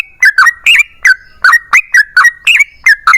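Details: Yellow-vented bulbul pouring out lively lure song meant to make other bulbuls sing: a steady series of rich, bubbly, gurgling notes, each a quick rising-falling warble, repeated about three times a second.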